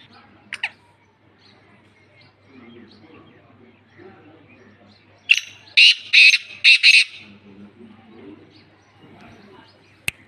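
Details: Sindhi black francolin brought out of its cage, calling: after a brief early note, a loud grating burst of five harsh, buzzy notes in quick succession midway, then quiet with a steady low hum and a final click.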